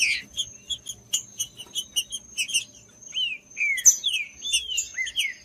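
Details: Green-winged saltator song played to warm up and stimulate a cold bird into singing: rapid high chirps, then clear slurred whistles sweeping downward in the second half, over a steady thin high tone.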